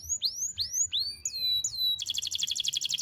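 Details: Canary singing as a tutor for young canaries: sweeping upslurred whistles, a couple of falling notes, then a rapid buzzy trill.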